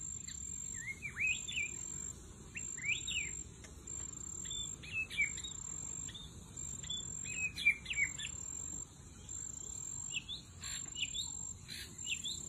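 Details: White-rumped shama (murai batu) singing as a lure deep in the forest; varied whistled and twanging phrases in short bursts over a constant high-pitched insect drone.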